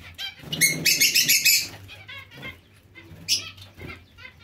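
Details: A zebra finch colony housed with Bengalese finches erupts in a loud, buzzy, nasal burst of calls lasting about a second. Softer chirps and a short second burst follow, with a low hum underneath.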